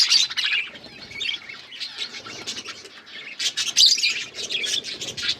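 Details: Budgerigars eating green food, keeping up continuous busy chirping and scratchy warbled chatter, loudest near the start and again after about three seconds.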